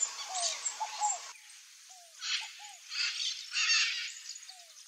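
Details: Scaled dove (Columbina squammata), locally fogo-apagou or rolinha-cascavél, giving short soft curved mid-pitched notes, often in pairs, spaced irregularly over several seconds, with bursts of broadband rustling or wind noise between them.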